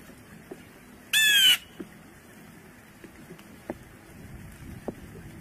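A Blue jay gives one loud, harsh, raspy screech lasting about half a second, followed by near quiet with a few faint clicks.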